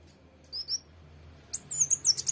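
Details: Sunbird song, the bird named locally as kolibri wulung or mucang trotol: brief, very high thin chirps, two short notes followed by a quick burst of sharp, tinkling twitters, over a faint low hum.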